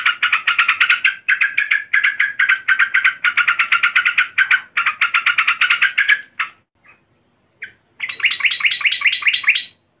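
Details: Female yellow-vented bulbul (trucukan) calling agitatedly to a male: long runs of rapid, repeated bubbly chattering notes, briefly broken by a few isolated notes, then a higher, brighter series resumes.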